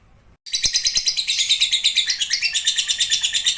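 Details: Long 'ngekek panjang' trill from a lovebird: after a brief hush, a shrill, rapidly pulsed chatter bursts in and carries on unbroken to the end, its high notes beating in quick, even waves.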